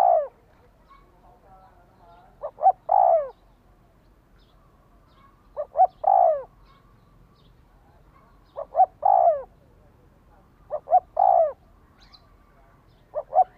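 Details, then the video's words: Spotted dove coos used to quickly excite a decoy bird: a long string of phrases, each two brief notes then a longer falling coo, repeating about every three seconds over quiet background. "Tiếng chim cu gáy thúc kích bổi nhanh nổi hiệu quả-Suara Burung Tekukur"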